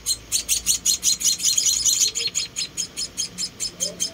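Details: Hand-fed rescued munia babies, four chicks, calling in fast, insistent high chirps, roughly two to three per second, with faint low background sounds.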